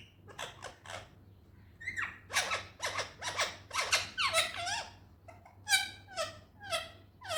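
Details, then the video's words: Talking Indian ringneck parrot gives rapid, clipped, speech-like syllables, some buzzy and some sliding downward, in quick bursts that speed up near the middle, with a faint low hum underneath. "Natural talking parrot voice"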